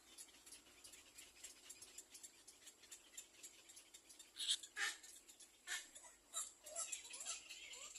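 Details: Little black cormorant chicks begging while they wait for their mother to feed them: rapid high, scratchy squeaks and chirps, irregular at first, then louder bursts of harsh calls toward the end.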